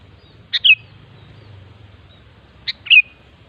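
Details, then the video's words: A wild sooty-headed bulbul sings two brief phrases, each a sharp chip followed by a liquid, down-slurred whistle, about two seconds apart, over low background rumble. "suara burung kutilang ASLI ALAM LIAR"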